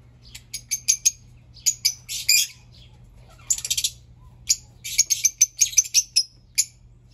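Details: Fischer's lovebirds coming back: rapid volleys of sharp, high, squeaky chirps in clustered bursts separated by short pauses, some notes with a thin whistled ring, against a low steady hum.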